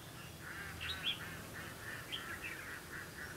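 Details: Red-whiskered bulbul in competitive singing during trapping, 2 October 2016: a run of warbled, slurred notes around the upper-middle range flows almost continuously for three seconds over a steady low background hum.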